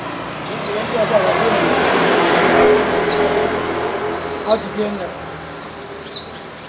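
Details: Released Swinhoe's white-eye fledgling, possibly injured and earlier caged for protection, hopping on a garage steel beam while its parents bring red berries to feed it; thin high downslurred notes repeat irregularly over a steady broadband rumble like traffic.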